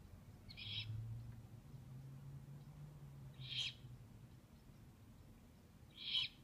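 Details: Three rasping, breathy screeches from owlets, recorded 2/11/15, spaced roughly two and a half seconds apart, with a faint low droning tone underneath the first half.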